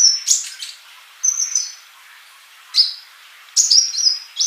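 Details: Sunbird (colibri) singing gacor in a masteran tutor recording: short high, thin whistled notes and sharp chirps in three brief bursts separated by pauses of over a second, with no other sounds.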